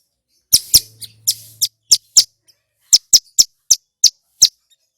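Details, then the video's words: Loud male Bar-winged prinia, a local mountain prinia, in clear song meant to excite and teach other birds: sharp, high, clipped notes in an uneven series with gaps, and a faint low hum early on. "Suara Asli Ciblek Gunung GACOR"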